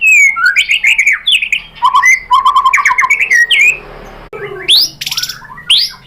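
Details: White-rumped shama (murai batu) lure song, played to provoke another shama into full singing: varied clear whistled phrases with rising slurs and chattering notes, a short noisy pause, then further bright whistles.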